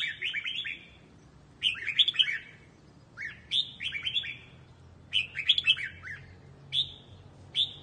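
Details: Voice-training song of a red-whiskered bulbul, Quang Tri style: lively whistled phrases with rapid up-and-down slurred notes, delivered in five short bursts with gaps between, faint background hum.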